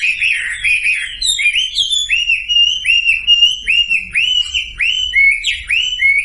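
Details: Sumatran leafbird song used as a lure to prompt silent birds to sing: a rapid run of clear, slurred whistled notes, each sweeping down then up, repeated about twice per second with sharp high overtones, steady and loud throughout.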